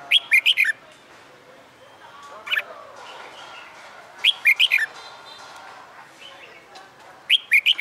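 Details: Caged red-whiskered bulbul, a wild-caught bird in training for fighting song, newly finding its voice after months in the cage: bursts of bright, quick whistled notes, repeated roughly every two to three seconds, with faint background chatter between phrases.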